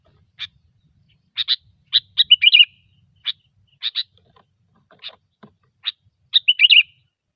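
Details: Sooty-headed bulbul singing gecor-style as a trapping lure: frequent sharp chirps, often doubled, with two brisk bubbling warbled phrases and faint softer notes in between.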